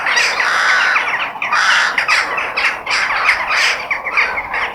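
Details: Crows in nature giving rough, hoarse caws, several birds overlapping in uneven bursts roughly every second over a busy background chorus.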